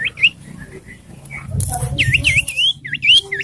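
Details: Common iora in morning song, the main sound throughout: loud, ringing U-shaped whistles and rising slurs in irregular groups, with a brief rustling noise in the middle.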